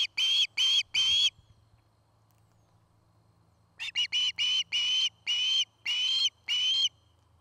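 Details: Loud osprey whistles from a nest near Charlo, Montana, nest camera, 09-05-2018 afternoon: three ringing notes, a long quiet gap with low hum, then a quickening series of short chirps easing into longer, evenly spaced whistles.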